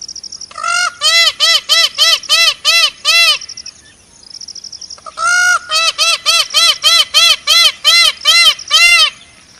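Indian peafowl giving two loud runs of about ten nasal, ringing honks, roughly three per second, over a faint steady high-pitched insect drone.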